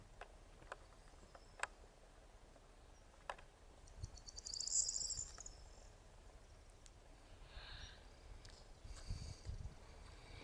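A corn bunting gives its brief, high jangling song, a few accelerating ticks running into a glassy rattle like shaken keys, over low rumbling background noise and scattered clicks.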